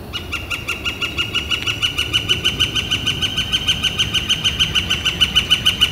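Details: On a sunny April 28, 2014, a Northern flicker delivers a long, regular volley of loud, ringing notes repeated several times a second, growing slightly stronger toward the end over quiet outdoor ambience.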